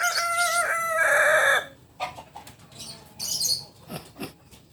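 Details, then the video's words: Stepped, multi-part crowing opens this recording of a native Kukuak Balenggek rooster of biriang kuniang colour from Solok, West Sumatra. The loud, harmonic crow lasts under two seconds and then gives way to faint clucks and background noise. "Biriang kuniang Ayam kukuak balenggek asli Solok Sumbar"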